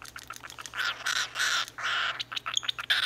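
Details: Hungry baby cockatiel begging for baby food, giving a string of short, scratchy, hissing rasps in quick bursts, with brief pauses between them and a faint higher chirp near the end.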